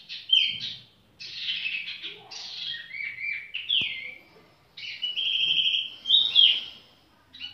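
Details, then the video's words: Leisurely song of a tiểu mi bird: loud chattering bursts alternate with clear slurred whistles and a sustained warbling phrase, separated by short silences, with a faint tap in the middle. "chim tiểu mi chơi lai rai"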